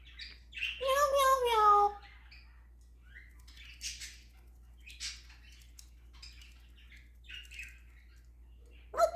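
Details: Pet African grey parrot mimicking sounds: a long, wavering, descending whistle-like cry, followed by scattered soft squeaks and clicks, with a person speaking just after.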